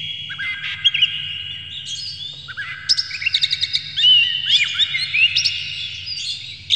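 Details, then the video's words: Oriental magpie-robin (kacer) song used as a lure to stir other kacer into singing, the bird agitated and opening its tail; rapid varied chirps and sharp downslurred whistles in abruptly switching bursts over a steady high ringing tone. "dijamin kacer langsung ngamuk2 dengar kacer ini bongkar emosi buka ekor ngobra full isian"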